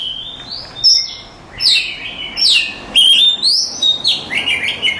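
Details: Contest-champion Oriental magpie-robin song: clear sustained whistles, swooping downslurred notes, and a closing string of quick warbled phrases.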